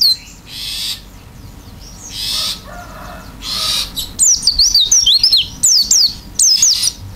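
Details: Oriental white-eye singing open-beaked in gacor isian style. Broad hissy bursts lead into clear, high looping whistled phrases. These come in quick clusters separated by short pauses.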